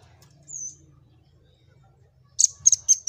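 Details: Velvet-fronted nuthatch singing, used to train other birds and draw out their song: one thin, high, slightly falling note, then after a long gap four sharp, piercing high chips about a quarter second apart, with soft low background rumble.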